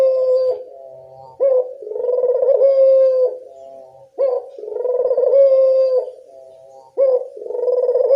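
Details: Local turtle dove used as a lure call to draw replies from other doves: loud, mid-pitched cooing phrases, each opening with a sharp note and then a rolling, purring coo, repeated about every three seconds with short quiet gaps.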